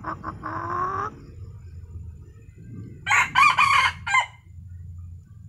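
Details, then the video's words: A tame red junglefowl kept as a decoy to lure wild junglefowl gives a drawn, nasal note, then a short, clipped crow broken into four hoarse, husky syllables, over a low hum. "agar ayam liar, jinak dan rajin berkokok"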